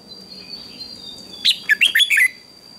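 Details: Red-whiskered bulbul in a morning singing contest: one quick phrase of about five loud, bright whistled notes with sharp onsets and falling slurs near the end, after a quiet start with a steady faint tone.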